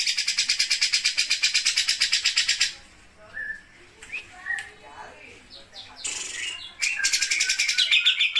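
Grey-cheeked Bulbul giving a fast, high, sewing-machine-like rattle for nearly three seconds, then scattered chirps, then the rattle again.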